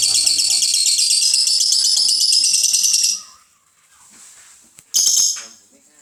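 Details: Lovebird performing a long ngekek trill: a rapid, high, buzzy chatter held for about three seconds. After a quiet pause, a shorter burst of the same trill follows.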